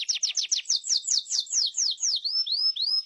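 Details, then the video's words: Atlantic canary delivering a quick series of high, downward-sweeping whistled notes that slow and stretch into a few rising, drawn-out whistles toward the end. "Master burung kenari"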